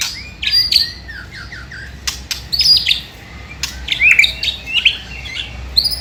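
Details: White-rumped shama singing in a lure recording meant to provoke rival birds: short high whistles and swooping notes broken by hard clicks and pauses, rising and falling in loudness.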